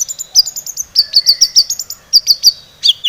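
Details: Long-tailed shrike song used as a lure to provoke singing: rapid series of high, piercing whistled notes in quick runs, with one lower sustained tone underneath and short pauses between bursts.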